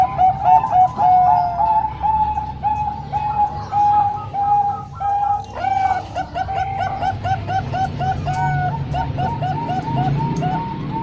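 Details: Three Bangkok-type zebra doves and one local bird combined as a training song for young birds. Gentle, mellow coos repeat in a loose rhythm. Overlapping voices briefly stack into a denser, higher chorus.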